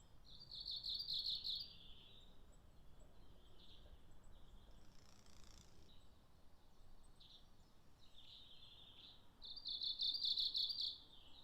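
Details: Japanese leaf warbler singing in Japan: a high, rhythmic, trilled phrase of quickly repeated short notes, given early on and again near the end, with softer scattered notes between and steady background hiss.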